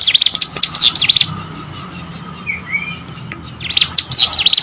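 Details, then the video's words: Hill prinia song, used to prompt other birds to sing: a burst of quick, shrill sweeping notes, a pause of over two seconds filled with soft low noise and faint whistles, then the rapid notes return. "burung ciblek gunung gacor"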